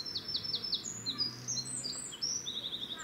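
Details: A wren sings in Cambridge, UK, on 1 June 2020, a rapid, high-pitched burst of sharp notes and fast trills, loud and tumbling, with a faint low hum behind.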